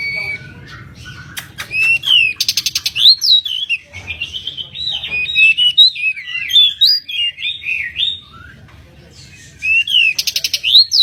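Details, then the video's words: Energetic pied bushchat song meant for tutoring cage birds, with rapid runs of bright, twisting whistles, rattling buzzy notes and long, nearly continuous warbled phrases broken by short gaps, over a faint low rumble. "Burung decu gacor | Kacer mini gacor | masteran burung decu"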